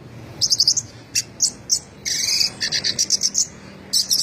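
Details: Orange-headed thrush, first-place winner, delivering its exuberant 'teler' song, which the owner likens to drunkenness: bursts of high chattering notes in clusters, a lower steady tone at two seconds, then more rapid stuttering phrases.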